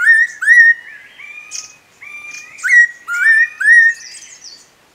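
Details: Spotted laughingthrush at Eaglenest Wildlife Sanctuary giving sharp, clear whistled notes that rise then level off, several in quick succession and partly overlapping, with fainter higher notes between.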